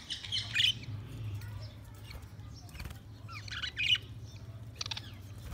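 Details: Budgies give short clusters of high twittering chirps separated by pauses, over a constant low-pitched hum and some soft rustling.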